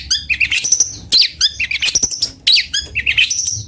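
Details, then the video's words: Long-tailed shrike of the cendet bondol type giving a busy song of rapid squeaky chips, rising whistles and buzzy fragments, grouped into clusters about every second. "Suara merdu burung cendet bondol"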